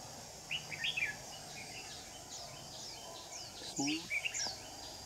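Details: Decoy red-whiskered bulbul in a trap, used to lure wing-flaring rivals, 9 July 2019: lively clusters of sharp rising and falling chirps, some very high, over an insect buzz, with a man briefly talking.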